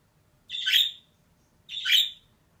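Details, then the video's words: Two drawn-out, grating squawks from a female budgerigar, about a second apart, each rough and broad, against quiet background. "DİŞİ MUHABBET KUŞU SESİ"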